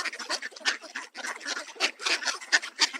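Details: A crowd of Mallard ducks quacking noisily as they swarm toward scattered bird seed during feeding, with Canada geese nearby; rough, buzzy quacks pile on top of each other in quick, irregular bursts with only brief gaps.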